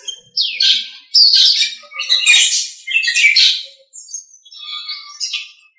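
A Nias hill myna gives loud, harsh, squawking phrases mixed with shrill whistles, roughly one burst per second, with brief quiet gaps between.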